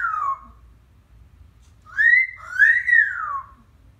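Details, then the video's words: Parrot kept indoors imitating a crying baby: one short descending wail, nearly two seconds of quiet, then a pair of loud arching, whiny cries that swell and fade, sounding like an infant's sobbing. "Sounds like a real baby! Parrot crying"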